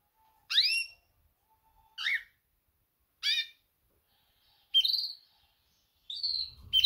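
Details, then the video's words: Female canary mating call to attract males: sharp downward-sweeping chirps spaced more than a second apart, then two longer level whistled notes, a short rustle at the end. "Best female canary mating call - female calls males - female sounds chirps"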